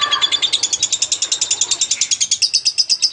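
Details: Lovebird singing for magpie-robin tutoring: a quick, regular chain of shrill high chirps, with a lower note at the start and the pulses growing clearer toward the end.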